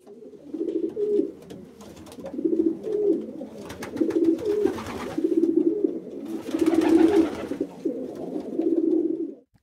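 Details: Pigeons coo in soft, low, throaty phrases about once a second, a call that keeps the flock together, with a few bursts of rustling and flapping between them.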